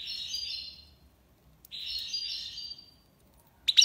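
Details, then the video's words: European goldfinch from Algiers singing in the tiwawati style: two bright, high twittering phrases with buzzy trills, separated by a pause, and a sharp chip at the end; faint low hum underneath. "مقنين تيواوطي ليبساد الله يبارك / chardonneret tiwawati"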